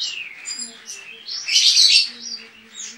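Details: White-eye entered in an online singing competition from Pontianak, West Kalimantan, Indonesia; a thin descending whistle is followed by a swelling, loud jumble of high chattering notes that fades into softer twitters.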